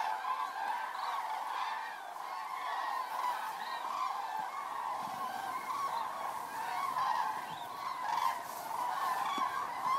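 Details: A large flock of common cranes flying in to roost on the evening of 3 October 2018 at Federow, Germany, very close in low water after a long drought, trumpeting together in loud, rolling, overlapping bugling calls.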